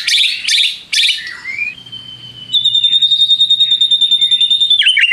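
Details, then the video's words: White-rumped shama lure song meant to provoke rivals: three harsh, scratchy bursts, then a long, level, pure whistle that becomes a fast, even, pulsing trill before ending in a short, sharp descending note. "PANCINGAN MURAI BATU PENDONGKRAK EMOSI MUSUH !!! di jamin NYAUT GACOR"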